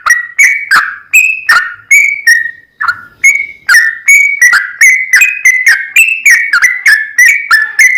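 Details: Long rapid 'ropel panjang' song of a sooty-headed bulbul meant to provoke a rival into singing; bright whistled notes tumbling fast, some sliding down, a brief gap near three seconds, then steady quick repetition.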